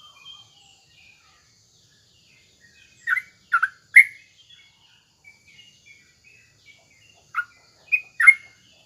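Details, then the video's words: Trucuk bulbul voice used to coax other bulbuls into replying: two short bursts of three and two loud, liquid, chortling notes separated by a few seconds of near silence with faint soft calls. "suara trucuk SATU ini AHLINYA bikin terapi burung trucukan gacor lawannya bikin NYAUT"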